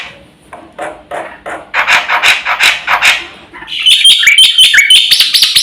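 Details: Black-winged myna in full, active song with a rich repertoire, used as a lure and master recording for training birds; harsh rasping bursts build into loud, rapid, buzzy notes with bright whistled accents repeated in quick succession.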